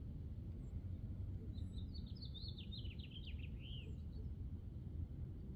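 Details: A male house finch sings a brief, fast warble of jumbled high notes lasting about two seconds, ending in a slurred note, over a steady low rumble of traffic.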